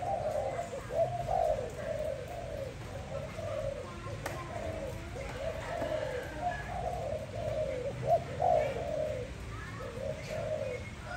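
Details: Malay dove kept at home, cooing more quietly: a run of soft, rapid rolling notes with uneven spacing, set against a noisier background with some faint higher sounds.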